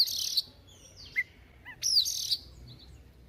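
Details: Oriental magpie-robin practising its song in the morning: bright, varied phrases of high sweet whistles, quick downslurs and scratchy bursts in a brief, lively outpouring, with a quiet background.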